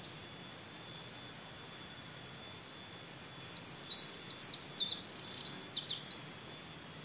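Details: Champion caged white-eye with canary-style song: soft, sparse high notes at first, then from the middle a rapid, loud run of sharp high chips and slurred whistles, busy and jumbled, before easing off.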